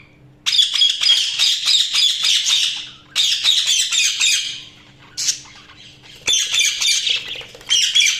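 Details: Pet budgies give dense, bubbling warbles in long runs of several seconds, each separated by brief quiet gaps, with fast scratchy notes and a low electrical hum beneath.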